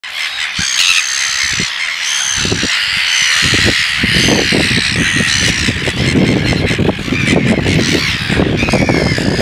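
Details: Red-billed gulls at a nesting colony at Pukekura / Taiaroa Head, Otago Peninsula, give harsh, grating squawks as a pair attempts to mate and a third adult acts aggressively near his nest; continuous background gull calls.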